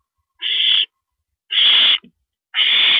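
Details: An owl at 1:27 AM on April 9, 2012, during a female's rabbit meal, gives three loud, hoarse hissing screeches about a second apart, each lasting under half a second.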